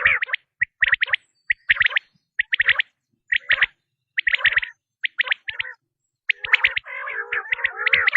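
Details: Batair (quail) calls: steady runs of piercing, high, clicky triple notes repeated about once a second, turning into a denser, rougher chatter near the end.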